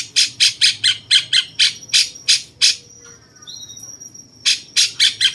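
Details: Bulbul called cucak cungkok, said to sound like a cucak jenggot and used to train champion songbirds: nine rapid grating squawks, a pause with a faint distant whistle, then another quick burst of harsh notes.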